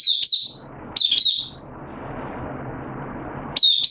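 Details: Oriental white-eye kept as a hobby cage bird, singing openly on 8 September 2022 while slightly off form; a few short high slurred phrases separated by a long quiet gap with soft hum.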